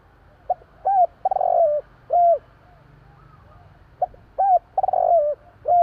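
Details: Javanese spotted dove cooing in the night, repeating a phrase of a brief note, an arched coo and a purring rolled coo, followed by a clear falling coo; the pattern recurs about four seconds later.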